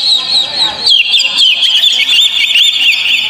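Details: Oriental magpie-robin singing as a provoking lure: a quieter opening, then loud rolling whistled notes sliding up and down in fast succession, busy and continuous.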